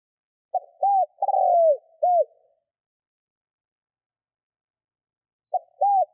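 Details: Spotted dove coo used to draw in wild birds: one full phrase of arched coos around a long sliding note, then a pause of about three seconds before a second phrase begins and is cut off.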